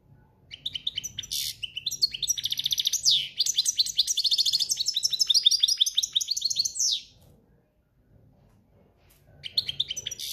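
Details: European goldfinch in breeding condition singing a campero-style song: a long run of rapid twittering, buzzy trills and down-slurred high notes lasting about six seconds, a pause, then the song resuming.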